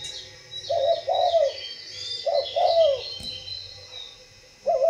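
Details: Spotted dove from a breeding facility cooing in low, drawn-out notes that slide downward at the end, in pairs, over faint high chirping of small birds and a low hum.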